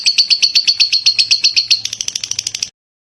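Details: Lovebird in lively ngekek song: a steady run of rapid harsh chirps, about four per second, turning quicker and thinner near the end before stopping abruptly.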